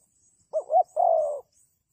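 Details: Spotted dove used in trapping as a lure gives a single phrase: two short rising coos, then a drawn-out coo that slowly slides downward. Faint high hiss in the background.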